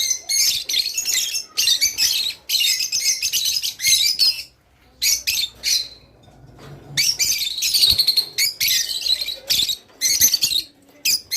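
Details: Rice finch song for encouraging pairs to breed: long stretches of busy high chirping and twittering, then a quieter lull near the middle before the dense chatter resumes.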